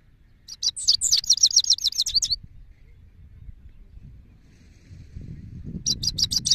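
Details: Male goldfinch singing: a fast run of high, tinkling twittered notes for about two seconds, a pause with low rumbling background noise, then another burst of bright chattering notes begins.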